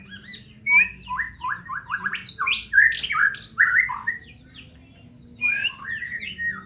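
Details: White-rumped shama of the Medan type in a fast, rich song of rapid varied chirps and slurred whistles, in bursts with short pauses; low steady hum in the background.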